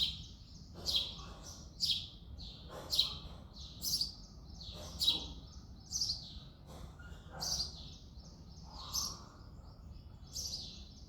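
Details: A male house sparrow sings and chirps in the early morning of February, producing a run of about eleven sharp chirps near one per second, steady and insistent.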